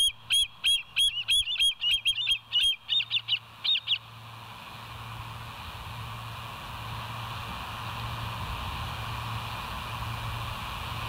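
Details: Bald eagle on a live nest cam at West End, 29 August 2023, early morning; rapid run of high piping, chittering notes over the first four seconds, then only a steady background hum.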